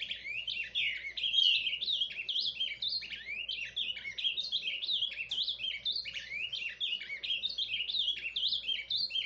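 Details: Ultramarine grosbeak of the Paraná type in subdued surdina song: a long, steady stream of rapid warbled and slurred whistles, zigzagging up and down without breaks, over a faint low background hum.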